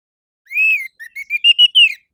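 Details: Orange-headed thrush song in the morning, used as a lure to set captive birds singing: a clear whistled note rising then falling, followed by five shorter whistles climbing in pitch, with a silent background.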